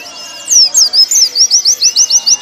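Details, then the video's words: Down-slurred high whistles from a Warbling white-eye, recorded for caged-bird training, run into quick repeated thin notes, about five per second. "Masteran pleci paling ampuh"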